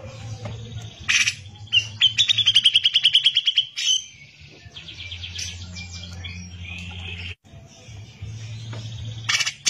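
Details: Grey-cheeked bulbul in gacor song, kept as a tutor track: a harsh burst, then a rapid rattling run of clipped high notes lasting about two seconds, softer chattering after, and a steady low hum throughout.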